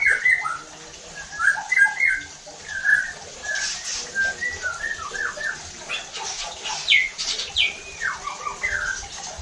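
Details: White-rumped shama song used to trigger other shamas to sing: a steady stream of short varied whistles and chirps of moderate loudness.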